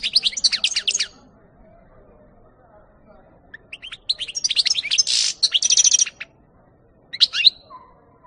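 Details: European goldfinch, recorded 2018, singing: a second of fast, bright twittering, a long quiet gap, then a longer jumble of chirps, a buzzy trill and a thin sustained whistle, and a final short twitter.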